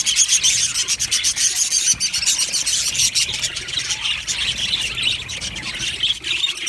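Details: Aviary flock of budgerigars, said to be happy, keeps up a busy, high chattering with sharp chirps and squeaky notes layered over one another, steady throughout.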